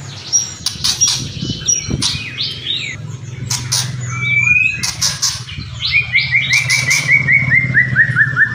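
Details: Kretekan and whistling song of a white-rumped shama. Scattered crackling bursts and short whistles give way to a long descending series of clear whistled notes over a steady low hum.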